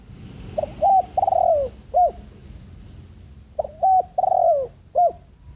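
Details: Spotted dove used as a ground lure, cooing to call wild birds: two mellow phrases of short coos, a long falling coo and a clipped end note, about three seconds apart, over a steady background hiss.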